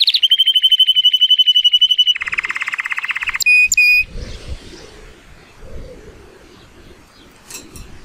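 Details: Male Timbrado Español canary, born 2018 and rated 83 points, sings a training song on a sunny day: a steady rolling trill that drops to a lower rattling roll, then two short bright notes, followed by quiet rustling background.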